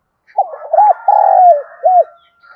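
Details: Spotted dove used as a decoy, calling in the morning with a voice suited to luring wild doves: one deep phrase of stuttered hoots, a long rolling coo and a short closing note over faint higher twittering.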